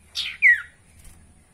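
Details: Spotted owlet calling, used to prompt caged birds into song: a hoarse buzzy note, then a loud clear screech sliding downward, over a low background hum.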